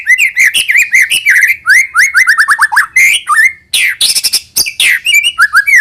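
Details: White-rumped shama song to coax young birds into singing: rich run of slurred whistled notes falling in steps, interrupted by loud harsh rasping bursts, then more sliding whistles.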